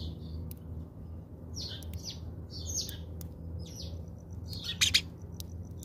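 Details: House sparrows visiting a feeder in South Africa: a series of short, bright chirps, some falling, scattered through the clip, with a steady low hum underneath and a louder double chirp near the end.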